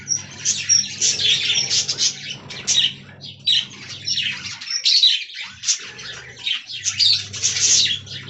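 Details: Many budgerigars in a colony aviary, chattering in high scratchy warbles and chirps, in bursts with short lulls, over a faint low hum.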